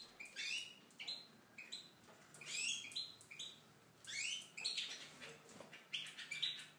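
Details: Tunisian goldfinch singing in an aviary: bursts of bright, twittering high notes with buzzy slurs, phrases coming roughly every second with short pauses, over a faint background hiss.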